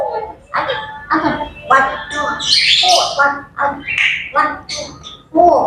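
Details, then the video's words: Grey parrots in the morning making a rapid, continuous run of speech-like chatter, nasal syllables and squawks, with a noisy high screech in the middle. "Grey Parrots Chattering and Bird Sounds to Wake Up to"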